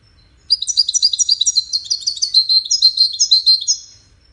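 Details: European goldfinch, part of a five-bird 'widaniya' song contest, delivers a continuous three-and-a-half-second stream of quick, liquid twittering and buzzy trills in a steady pulsing rhythm, clean against near silence.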